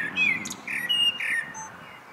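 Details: Common blackbird singing in the evening: a few mellow, fluting whistled phrases, some sliding, separated by brief pauses, over a soft background hiss.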